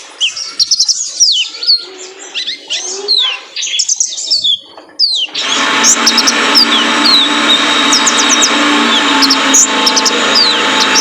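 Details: Male Van Hasselt's sunbird, known locally as kolibri ninja, in a cage-bird training recording: a quick jumble of high sweeping chirps, then a steady run of thin, sharp tsip notes over loud hiss.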